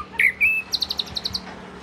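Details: Southern-form Oriental magpie-robin, the first one kept at home, gives a bright slurred whistle and a drawn-out note, then a rapid series of about eight sharp high ticking notes.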